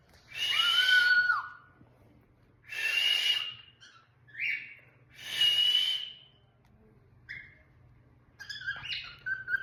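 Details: Pet cockatiel whistling indoors: three long, loud whistled phrases about two seconds apart, each with a bright sliding note, followed by shorter chirps and a final warbled phrase.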